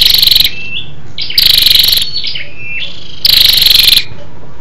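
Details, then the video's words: Female scarlet-backed flowerpecker calling to rouse males: three loud, rasping, pulsed rattles at roughly 1.5 to 2 second intervals, linked by quieter high tinkling and slurred notes. "SÂU ĐẦU ĐỎ MÁI RO KÍCH TRỐNG- Giọng MỒI HAY"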